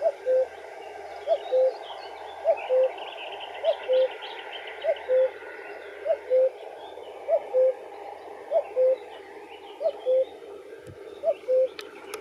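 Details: Common cuckoo calling its classic low two-note 'cu-coo', the first note slightly higher, repeated evenly about every 1.2 seconds, ten pairs in a row, over a soft background of distant small birds chirping and a brief knock near the end.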